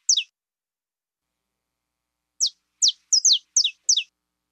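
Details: One sharp downslurred chirp, a long silence, then the saffron finch, described as 'fibra', gives a run of five quick high falling notes in clean recording.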